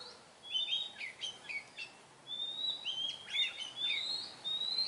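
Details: Oriental magpie-robin singing in the wild, a series of sweet whistled notes and upslurred phrases, rapid slurs, then longer rising whistles, over faint background hiss.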